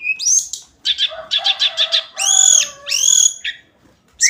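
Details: Daily song of the hill blue flycatcher: a rising whistle, a series of five evenly spaced buzzy notes, two longer rich warbled phrases, and a final upward note after a pause.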